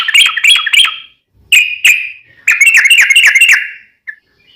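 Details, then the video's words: Yellow-vented bulbul song meant to prompt other trucuk to reply: three bursts of sharp, bubbly notes, the last a fast rattling roll of about eight notes, ending with a faint single chip in a quiet background. "trucukan gacor ROPEL PANJANG buat pancingan trucukan agar bunyi"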